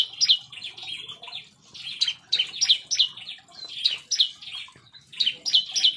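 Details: Fierce aviary song of a bar-winged prinia, clusters of two or three sharp high chirps repeated in spaced bursts, with faint low background rumble.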